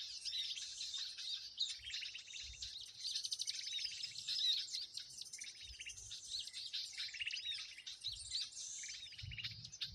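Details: Lure recording of a noisy bird crowd for bird-lime trapping: constant dense high-pitched twittering, squeaky notes and rapid rattles from many birds, with faint low thumps.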